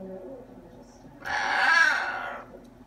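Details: Talkative pet macaw indoors lets out one drawn-out, harsh, rising then falling squawk just over a second long, after someone speaks to the bird.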